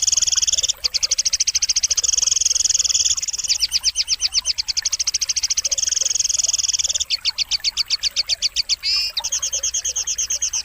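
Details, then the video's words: Sogon masteran song for birds that stay silent: long, loud, fast trills of repeated high notes, broken by short pauses and one brief twisting whistle before the rattling resumes. "masteran burung sogon solusi burung yang tidak mau bunyi"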